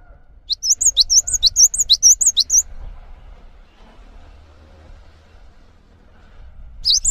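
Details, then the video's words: Cinereous tit, a tutor bird for training other birds, delivers a quick series of shrill swooping double notes for about two seconds, then falls quiet with only low background rumble before one more note at the end. "GELATIK BATU GACOR ANTENG UNTUK MASTERAN"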